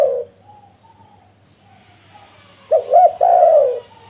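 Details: Lure call of a spotted dove, used to attract wild doves. A coo tails off at the start, then after a pause come two clipped notes and a long falling coo.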